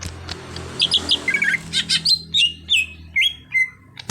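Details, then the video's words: Untrained greater green leafbird working toward steady song: a quick cluster of chattering notes, then a series of clear whistled notes that step downward, each with a short slide, with a click at the end. "Cucak Hijau Bahan jadi Gacor"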